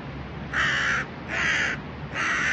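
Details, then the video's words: Crow in a noisy city shouting over food it refuses to share. Three loud, hoarse caws are evenly spaced about half a second apart against a constant low urban rumble. "The crow has found food and does not want to share. He shouts at me."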